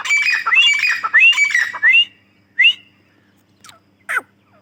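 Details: Female grey francolin giving a loud, grating, squawky chatter laced with short rising whistles, which breaks off into a single shrill note and two sharp falling calls.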